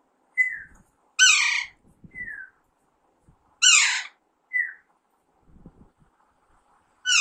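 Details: Alexandrine parakeet, also called Indian ringneck, natural calls: harsh broadband squawks alternating with short descending whistled notes, a few seconds apart, with faint human voices in between.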